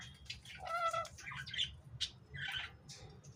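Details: A pair of lories chattering while eating apple indoors: harsh squawks and a nasal, ringing call mixed with short scratchy notes and chirps in an irregular burst, over a low background hum.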